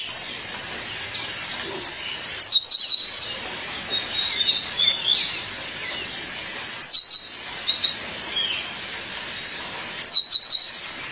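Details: A female violaceous euphonia calls for her mate, sending out bursts of sharp, high, descending chips spaced several seconds apart, with softer thin twittering notes between them.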